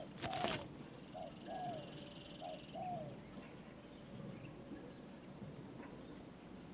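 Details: Spotted dove taken out to gain perch experience as a decoy bird; a short series of low, soft cooing notes spaced about half a second apart, over a steady high insect whine and faint rural background.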